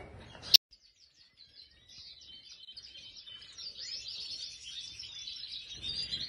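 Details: Goldfinch of the Major form in an aviary: a sharp click opens a near-silent stretch, then soft, high twittering song builds gradually into a continuous thin chatter of fast trilled notes.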